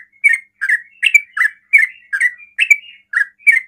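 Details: Rapid ropel singing of a yellow-vented bulbul meant to make other bulbuls respond: loud liquid two-part chirps, a dip followed by a rise, following each other roughly every half second.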